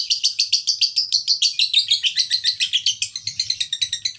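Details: Rapid, insistent chattering from a male fighter lovebird, meant to spur other lovebirds into song: high, grating chirps come several per second, gradually breaking into more scattered, varied notes, with a soft low hum behind.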